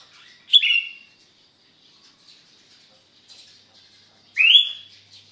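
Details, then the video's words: On a Sunday morning in Sukanegeri, OKU Timur, a sooty-headed bulbul (kutilang) in gacor song gives two loud phrases nearly four seconds apart. The second phrase sweeps upward, and faint chirps sound between them. "KUTILANG GACOR, SUARANYA BIKIN SENANG"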